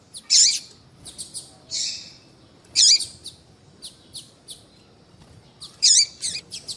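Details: Female Yellow-bellied Seedeater call meant to stimulate males: three strong, piercing chirps about 2.7 seconds apart, each trailed by softer short ticks and a brief hissy note.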